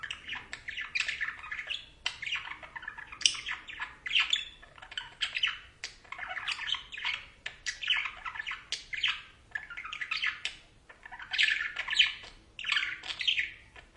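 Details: Pet budgerigars relaxing and basking in the sun chatter steadily with scratchy warbles, soft chirps and squawks in overlapping bursts.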